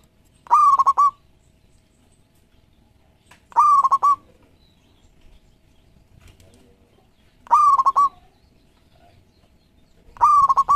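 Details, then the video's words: Frequent-singing local zebra dove repeating its cooing phrase about every three to four seconds. Each phrase is a held tone followed by rapid stuttered notes, with near silence between phrases. "Perkutut Lokal Gacor Ekor 13 Juaranya Masteran Pikat"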